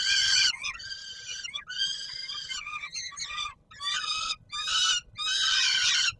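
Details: Peregrine falcons in Warsaw, Poland, at the Palace of Culture and Science at supper time, 17 July 2022. Rough, rasping cries run almost continuously, with a few breaks, and waver slightly in pitch.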